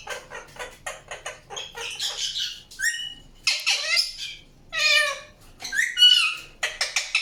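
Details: Indian ringneck parakeet producing harsh, buzzy squawks and chirps in irregular bursts, with faint clicking between calls and a few rising whistled notes.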